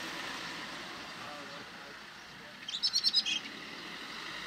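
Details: Common blackbird feeding on Cotoneaster berries in winter at Oakham, 8 January 2017, gives a quick burst of about six sharp, high chinking call notes in half a second, over steady wind or distant traffic hiss.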